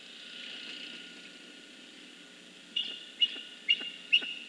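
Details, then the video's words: Female bald eagle at a northeast Florida nest announcing the first egg to her mate, recorded by nest webcam on 16 November 2014 in early afternoon: after two quiet seconds, four thin, clear, high whistled chirps about half a second apart. "Juliet Announces Egg #1 to Romeo"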